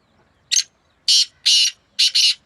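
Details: Black francolin in a vocal contest between two birds, recorded May 2024: a clipped introductory note followed by two drawn-out rasping bursts and a rapid doubled ending, with no other sounds.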